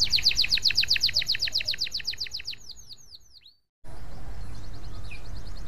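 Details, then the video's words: Canary in full song, used to coax other canaries into singing: a fast run of sharp high notes that slows into downward-curving slurs, a brief silent cut, then a fainter trill over steady low hum. "KENARI GACOR PANJANG ! Ampuh untuk memancing kenari lain bunyi"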